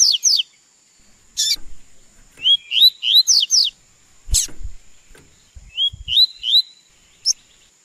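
Double-collared seedeater singing quick groups of clear, high, downslurred whistled notes, with scattered clicks and thumps and a faint steady high whine behind.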